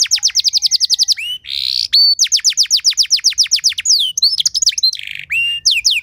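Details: Canary training song with rich, elaborate phrasing that spurs other canaries to sing: fast even trill of down-slurred notes, a short buzzy rasp, another long rapid trill, then varied chirps and swooping whistles.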